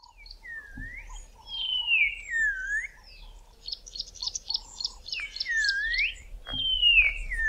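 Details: Black-crowned Tchagra in southern Africa giving its whistled call, clear slurred whistles swooping down and up, mixed with higher buzzy, stuttering notes, possibly from a territorial battle in thick bush.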